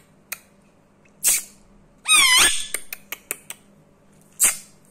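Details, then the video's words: Rose-ringed parakeet, a 7-year-old rescued pet male in India, makes sharp, dry clicks scattered over a few seconds, broken by one short, rising, harsh squawk, with a faint indoor hum behind. "click click parrot"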